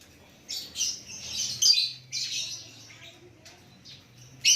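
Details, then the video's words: White-rumped shama delivers rich, high whistled phrases in two runs, then softer trailing notes and a sudden loud note at the end, with a steady low hum between phrases. "Lakbet super kicauan natural"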